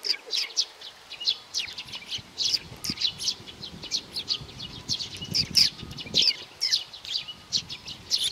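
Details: A young sparrow keeps up steady bursts of high chirps, several per second. Some low rustling is heard underneath.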